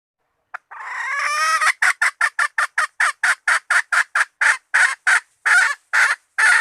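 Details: Hen bait call that swells from a rising, harsh drawn note into a steady rapid series of short rasping clucks, nearly twenty in a row, with no other sounds.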